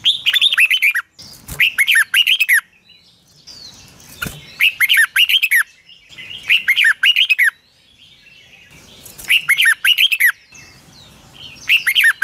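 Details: Red-whiskered bulbul morning song used as a training lure, in a 'long twisted double voice': around six fast bursts of bright, tumbling whistled notes, each about a second long, with brief pauses and a couple of sharp knocks.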